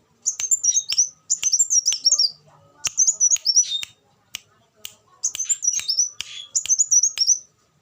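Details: Tutor recording of a black sunbird, a shrill, fast twittering song in short bursts of high sliding notes, each burst about a second long with brief pauses between, plus scattered sharp clicks.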